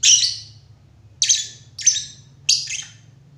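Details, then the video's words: Lovebird calls as four shrill, scratchy squawks spaced about one second apart, each fading quickly, with a constant low hum underneath. "lovebird // burung cinta"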